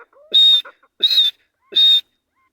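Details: Grey francolin roaming free in jungle during breeding season, giving three loud, shrill, piercing whistled notes spaced about seven tenths of a second apart, with a few softer clucking notes between them.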